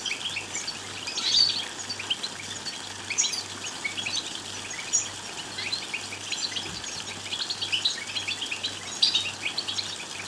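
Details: European goldfinch song played to rouse males into singing: ongoing fast chattering twitters with louder phrases near one, three and nine seconds, accompanied by a regular low pulsing hum.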